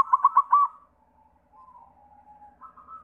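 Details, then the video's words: Song of a white zebra dove, used to lure other doves into singing: four strong, clipped cooing notes open, followed by faint drawn-out trilling coos that rise slightly at the end. "Sura Perkutut pitih PAMCINGAN SEMUA JENIS PERKUTUT"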